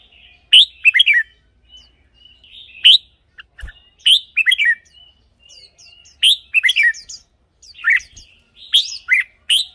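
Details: Red-whiskered bulbul song from a caged bird, played to get other birds excited. Repeated short phrases of liquid, rolling whistles, roughly every one to two seconds, with a couple of sharp knocks.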